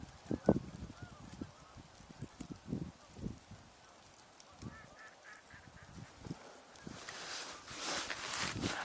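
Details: A flock of Canada geese honks from a distance in short, scattered bursts on 30 December 2023, with a soft hiss of light falling precipitation and wind growing toward the end.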